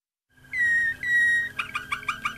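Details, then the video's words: Waterslager canary of the Malinois breed giving two long, clear whistled notes that fall slightly, then a quick series of short bubbling, chirping notes. "malinois waterslager"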